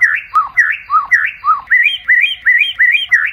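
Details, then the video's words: Night song of a white-rumped shama used to train contest birds: rhythmic series of rich whistled notes, first dipping low then switching to higher rising slurs, about three per second, clean background. "Murai Batu, Pancingan Malam untuk Menjadi Fighter Sejati"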